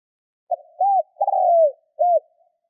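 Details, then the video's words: Caged decoy spotted dove cooing to stir up wild birds during training. A brief low note, an arched coo, a long falling coo, then another short arched coo, all mellow and low-pitched against silence. "Chim cu gáy mồi Thúc - Gù hay kích bổi"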